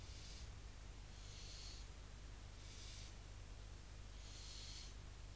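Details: Nestling barn owls in Cabañeros National Park show rejection of a visiting owl that landed on their nest box in the adults' absence. A series of four snoring, breathy hisses at irregular gaps, set against a constant low-pitched hum.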